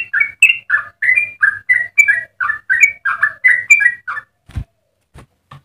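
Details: ['Yellow-vented bulbul in full song, delivering a long rapid run meant for training and provoking other bulbuls: bubbly, liquid two-part whistled notes tumbling quickly for about four seconds, then a few dull low knocks.']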